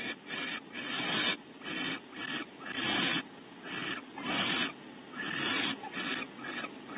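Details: Barn owls in a nest cavity at Audubon Starr Ranch, California, during a bonding visit as the male fetches prey from the pantry for the female; harsh, breathy hissing bursts, about eight, each roughly half a second long, separated by short pauses.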